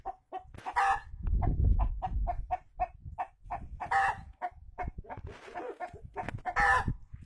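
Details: Giant Brahma chicken, a rooster and hen strutting together; clucking in short, evenly spaced notes, about three each second, broken by a few louder, harsher squawks, with a low rumble of wind early on.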